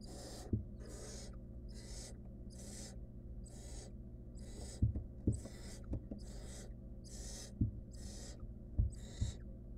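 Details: Wild barn owl nestling in a monitored nest box, trying to eat a stolen rodent alone; rasping breathy hisses repeat about every second, roughly a dozen in all, over a steady low hum with occasional knocks and thumps.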